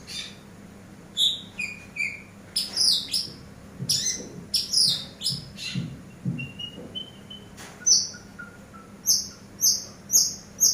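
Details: Eurasian tree sparrow singing in a recording played to train cage birds: scattered high chirps and short twitters, a few soft lower whistles, then a regular run of sharp high notes toward the end.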